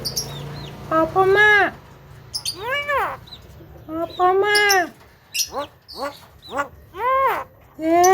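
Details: Javan myna giving harsh, arched, speech-like calls with strong harmonics, in several separate drawn-out phrases over about eight seconds, with a faint low hum behind.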